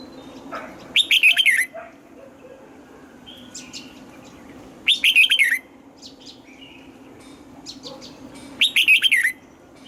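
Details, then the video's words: {'caption': "Red-whiskered bulbul in morning song training for the 'âm kép già rừng' double-note style; three similar bright, slurred warbling phrases repeated about every four seconds, with soft high chips between."} "Luyện giọng cho chào mào hót sáng, ép chào mào hót âm kép già rừng hay tuyệt!"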